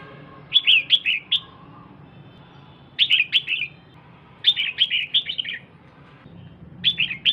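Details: Calls from a female red-whiskered bulbul exciting the male: short phrases of three or four bright, falling chirps, repeated every one to two seconds, over a faint low hum.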